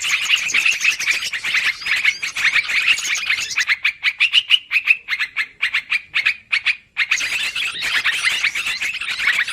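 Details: Yellow-vented bulbul lure calls for trapping birds, a noisy, long-running recording: dense, harsh chattering chirps pouring out almost without pause, briefly breaking into separate rapid notes midway before the busy chatter resumes.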